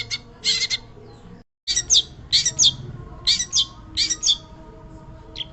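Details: Long-tailed shrike giving short, harsh, squeaky phrases in separate bursts about every half second to second, with brief pauses between groups and a faint low hum underneath.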